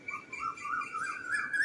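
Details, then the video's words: Asian koel calling on a cloudy, overcast day near a home where koels are often heard; a clear whistled note rising gradually in pitch and swelling over under two seconds, with a faint background hum. "ওই যে শুনতে পাচ্ছেন কোকিল ডাকছে।"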